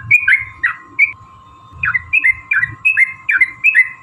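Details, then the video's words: Yellow-vented bulbul giving a long fighting song (tarung ropel panjang), used as a lure to provoke other bulbuls into singing: short bubbly, slurred phrases of dipping notes, about nine bursts in four seconds, over a steady faint hum. "trucukan gacor TARUNG ROPEL PANJANG"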